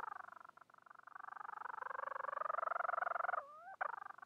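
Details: A Bermuda petrel calling for a mate produces a continuous quick pulsed purring that strengthens gradually, then a smooth rising glide before pulsing resumes.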